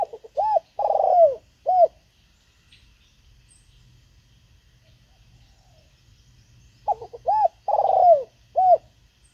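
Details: Spotted dove calling during decoy luring of wild birds: a phrase of short hooked coos and a longer falling, buzzy coo, then a long quiet pause before the same phrase repeats. Faint low rumble underneath.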